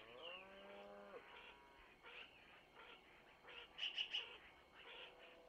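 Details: Long-eared owl young at feeding time in a Missoula nest, early morning, 25 April 2024: a lower drawn-out wavering call opens, followed by scattered high squeaks and a short clipped triple burst.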